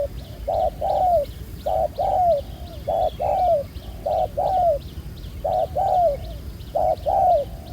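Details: Spotted dove caught in the fields, black-spotted neck, cooing for ground-decoy trapping; loud, full low coos, each short note leading into a longer falling one, in regular phrases with faint high clicks behind.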